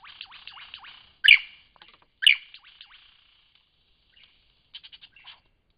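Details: Lyrebird singing in Cape Liptrap Coastal Park: soft ticking descending notes, two loud sharp whip-like cracks a second apart, then quieter clicks and a brief chattering burst.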